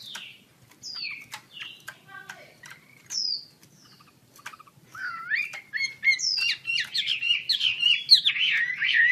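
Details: Chinese hwamei spreading its wings while singing: scattered downslurred whistles and ticks, then an intensifying stream of loud, varied, warbling phrases.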